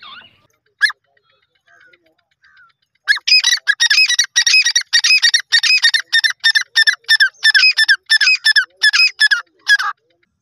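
A Grey francolin gives a few scattered notes, then a fast, steady run of loud, harsh, ringing notes for about seven seconds, with no other sounds.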